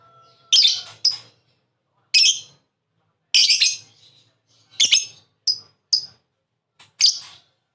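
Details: Lovebird uttering rasping, high squawks and short sharp chirps at uneven intervals, with quiet gaps between.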